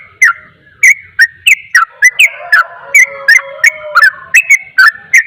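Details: Fast 'ropel' song from a sooty-headed bulbul, meant to agitate rival bulbuls: a short hush, then quick ringing whistled notes with sharp clicks, about three per second, over a faint lower sustained tone.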